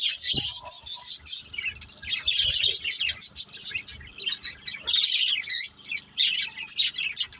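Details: Several pet budgerigars, a family group kept together, chirping busily: dense high twittering and warbling chatter with short squawky notes, nearly continuous with brief pauses.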